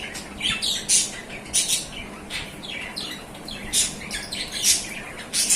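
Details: Adult pair of budgerigars chatter with harsh, scratchy squawks and bright chirps in quick, uneven bursts.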